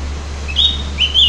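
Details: Two short phrases of high, slurred whistled notes from an opior jawa (cucak gentong), separated by a brief pause, over a steady low electrical hum.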